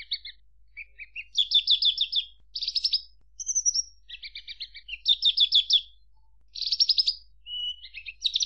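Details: Javan bush lark song made of separate buzzy trilled phrases, some lower and some higher, with a clear whistled note in the middle and pauses of about a second.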